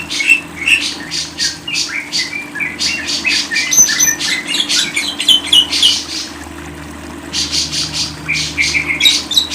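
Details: Lovebird song as a long run of fast, rasping chirps and thin high whistles, delivered in irregular clusters with short gaps, a low steady hum underneath.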